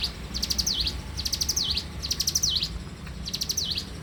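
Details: Energetic morning singing by a bar-winged prinia: four bright, high phrases of rapid ticking notes, each ending with a quick falling-then-rising whistle, separated by brief pauses, with a light low hum behind.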